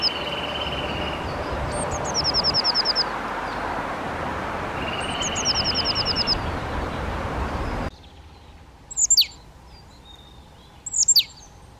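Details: Eurasian nuthatch (Sitta europaea) giving two quick series of high, sharply repeated notes, each about a second long, over a steady hiss and a second even tone. After a cut, two short, sharp, high calls stand out against quieter background.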